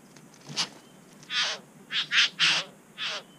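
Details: Satin Bowerbird at its bower in NSW, Australia, caught on a GoPro amid social squabbling. A faint note, then four loud, rasping, buzzy bursts, each about a quarter second, in quick succession.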